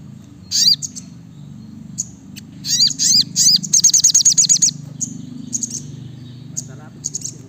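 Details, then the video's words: Brown-throated sunbird in full, fast song. Sharp downswept chirps lead into a rattling run of about ten quick high notes, then sparse chips, with a low hum throughout. "Masteran SRIGANTI (SOGOKONTONG) Gacor Nembak Rapat"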